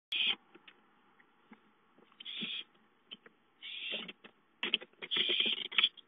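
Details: Owlets at home calling for food, 5-9-13: harsh hissing screeches in short bursts at irregular intervals, mixed with dry clicks, taps and shuffling sounds from movement nearby.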